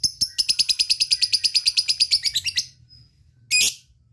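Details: Lovebird ticking and cackling to call companions: a rapid run of high chips for over two seconds, a pause, then one short harsh squawk-like burst.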